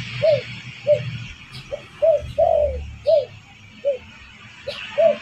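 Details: Spotted dove coos played to attract other birds: mellow low notes in a rhythm of short, short, long drawn-out coo, repeated across the phrase with clear pauses, faint low background hum.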